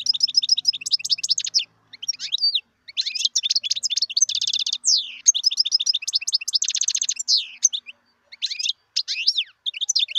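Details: Wild European goldfinch singing in 2018: a rapid, continuous twittering of high chirps and liquid notes, broken by buzzy rattling trills and short pauses, with no other sounds.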